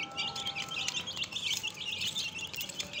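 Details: Flock of newly added domestic chicks giving rapid, shrill, falling peeps in a crowded overlapping chorus, over faint steady hum and background noise.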